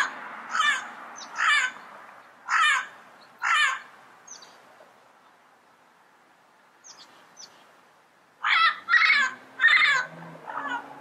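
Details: Wild Yellow-headed parrot in its natural environment giving four harsh, raspy squawks about a second apart, a quiet pause, then a tighter burst of four more grating calls near the end.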